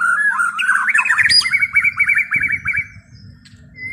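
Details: White-rumped shama singing a fluid whistled phrase that breaks into a fast series of about eight repeated rising notes, then fades; low rumbling background noise.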